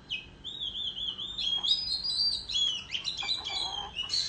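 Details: Oriental magpie-robin singing in a rural duel with tail-fanning display: fluid warbled whistles that waver and climb, punctuated by quick sharp chips, rich and melodic.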